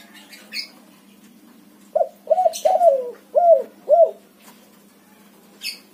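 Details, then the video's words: White-coloured spotted dove, a backspot variety, cooing vigorously; a run of five low, hoarse, rounded coos in quick succession, with faint high chirps from other birds before and after. "suara tekukur warna putih BS backspot manggung gacor untuk pancingan burung derkuku macet bunyi"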